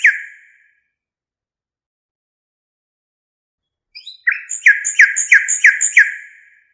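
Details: Song of a nightingale (local name Hasaniya): one strong note, a long pause, then soft lead-in notes and a fast series of six repeated downslurred chirps, quickly fading out.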